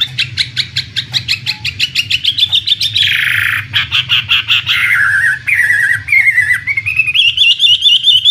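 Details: Imported Chinese hwamei, a premium contest bird, repeats a sharp note about four times a second, rising in pitch, then switches to loud scratchy and whistled phrases and sliding fluty notes, with a low background hum.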